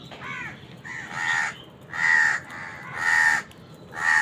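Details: Harsh, nasal caws from crows squabbling with wild birds over food, repeated roughly once per second, each call long and buzzy with strong overtones.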